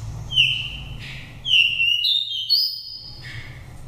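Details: Daklak oriental magpie-robin, raised from the nest and five moults old, giving a pure wild-style voice used to excite or trap birds: loud ringing whistles in separate phrases, some stepping upward, over faint hum.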